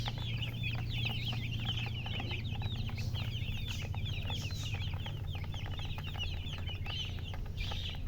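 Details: A flock of chicks chirps nonstop: thin, high peeps tumbling over one another about every half second or faster, backed by a low steady hum.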